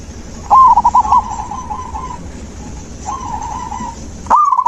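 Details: Zebra dove singing, recorded to coax a silent dove back into song. Two long, trilled cooing phrases, each a rapid run of soft, even notes. A third phrase begins at the end over a low background hum.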